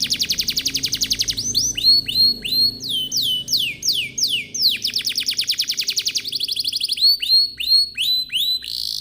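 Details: Canary song as a lure for other canaries: fast repeated chip trills, long descending swoops and rising whistles in a varied, rolling sequence over low background noise.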